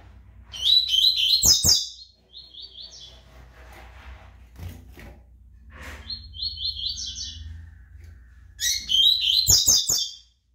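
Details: A brown double-collared seedeater delivers bursts of fast, scratchy warbling with buzzy trills, separated by quieter pauses. A few knocks sound between the phrases, and a loud twittering burst closes the sequence.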